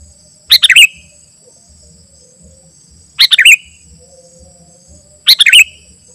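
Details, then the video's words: Sooty-headed bulbul song for luring wild birds and tutoring: three short, bubbly, warbled phrases about two and a half seconds apart, with a faint low pulsing hum and a thin high whine. "Suara Burung KUTILANG GACOR Ampuh Untuk Panggilan Kutilang Liar dan Cocok Untuk Masteran"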